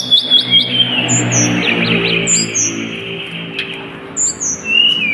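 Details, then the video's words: Hill blue flycatcher song used as a lure to coax other birds into singing: fast stuttering notes open, followed by sweet falling whistles repeated at intervals, with a faint low hum underneath. "pancingan tledekan gunung gacor"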